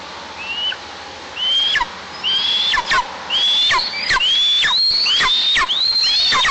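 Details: White-tailed eagle at a nest camera in a 20-metre pine in the oil districts of southeastern Tatarstan, 26 July 2024, calling for an awaited bird that never came: a series of about eight high yelping notes, rising and quickening, each with a sharp downward tail.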